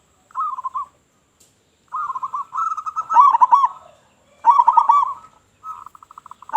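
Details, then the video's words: Local Zebra dove used as a lure for other doves, giving loud bubbling coo phrases near one pitch: a short rolling burst, then longer rippling trills, with a final string of quick evenly spaced notes. "Perkutut Lokal Gacor Suara Besar Suara Paling di Sukai Burung Perkutut apa Saja"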